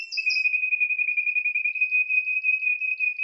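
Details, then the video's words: A Spanish Timbrado canary holds one long, steady, metallic rolled note, finely pulsing about three times a second. Nothing else is heard. "chant des oiseaux timbrado espagnol"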